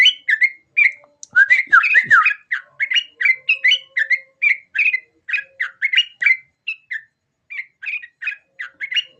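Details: Sooty-headed bulbul song: long, lively bursts of rapid, bright chattering notes that briefly become busier, then settle into steady repeated phrases with short pauses.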